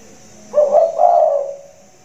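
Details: Big-voiced caged spotted dove in the rainy season, giving a short two-part hollow coo, a brief note then a longer rounded one, over a quiet background.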